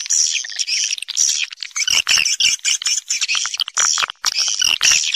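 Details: Roosting call of swiftlets used to lure them in to roost, an original natural recording: loud, shrill, chattering twitters in uneven bursts, with some scratchy notes mixed among the high chirps.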